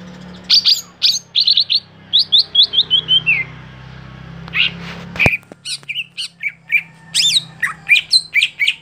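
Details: Greater green leafbird (cucak hijau) kept for song contests, a bird that has stopped performing at competitions: a varied burst of sharp high chirps, a fast descending trill of rapid notes, then scattered whistled and buzzy notes with a brief click.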